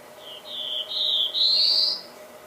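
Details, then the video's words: Black-throated blue warbler singing a buzzy phrase of three drawn-out notes, the last rising higher and louder, with a faint steady hum underneath. "Reinita Azulada"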